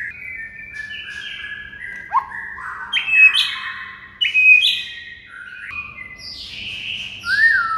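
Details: White-rumped shama song as masteran training for quiet shamas: a varied string of clear whistled notes jumping in pitch, with sharp loud accents and a final rising then falling slur.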